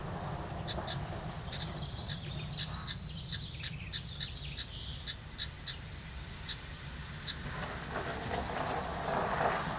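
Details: Hungry house wren hatchlings calling from inside their nest box when a parent brings food, a fast run of high, thin chirps mixed with buzzy notes, several per second, fading out toward the end against low background rumble.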